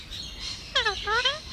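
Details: Pet hand-raised Alexandrine parakeet mimicking speech: two quick 'hello'-like words, each a stack of harmonic tones, the first sliding downward and the second rising, with light background noise between them.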